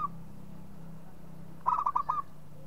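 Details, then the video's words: Local zebra dove calling: a quick burst of about five short, rolling mid-pitched coo notes in half a second. A steady low hum runs underneath, and a faint note opens the clip. "SUARA MEMANGG PERKUTUT LOKAL"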